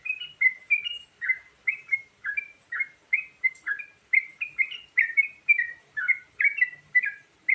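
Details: Yellow-vented bulbul varied fill-in song used as a lure for catching birds: quick bubbly two- and three-note warbled phrases, falling and rising, repeated almost without pause over a quiet background.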